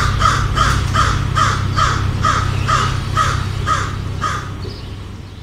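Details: American crow giving a rapid run of harsh, raspy caws, about eleven in quick succession roughly every half second, then trailing off near the end, over a steady low rumble of background noise.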